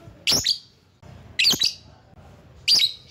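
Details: Lovebird calling to provoke rivals: three loud, harsh, high-pitched shrieks about every 1.2 seconds, each a short burst with a doubled note, over a low background hum.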